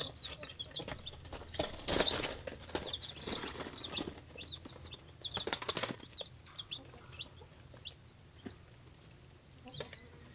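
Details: Three-day-old hatchery chicks of mixed breeds, including Leghorn, Polish, Rhode Island Red, Australorp and Cochin, peep constantly in high, arched notes that overlap from many birds. Scratching, shuffling and wing-flapping noises burst in around the second and sixth seconds.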